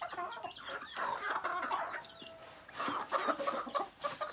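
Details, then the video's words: Native chickens, roosters and hens: two loud bursts of rapid cackling separated by a quieter pause, with chirping birds in the background. "Rooster, Hen and Other Native Chickens."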